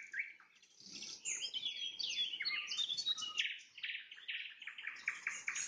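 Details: Sunset trilling by a nightingale, with a tangled run of sharp high notes followed by a steady sequence of loud repeated chirps.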